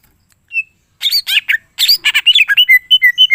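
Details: Greater green leafbird singing a full song with mimicked phrases, meant to set other leafbirds singing: a lone high note, then rapid bursts of bright chirps and slurred whistles, ending in a quick run of short repeated whistles.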